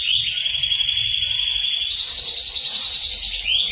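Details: Canary singing steadily as a master song for training magpie robins: an upward sweep opens a long continuous high rolling trill that climbs gently and holds, finishing with another quick rising note; soft low background hum.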